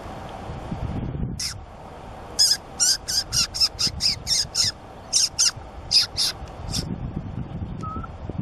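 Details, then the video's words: White-tufted sunbeam recorded at Mollepata, Cusco: a series of about fourteen sharp, high, scratchy notes in clustered bursts, preceded and followed by low rumbling background noise. "White-tufted Sunbeam 04"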